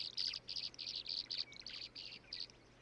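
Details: Tree swallows swirling around newly placed nest boxes at the water's edge along the Missouri River, Montana, give liquid, high twittering chatter in quick bursts, about three per second.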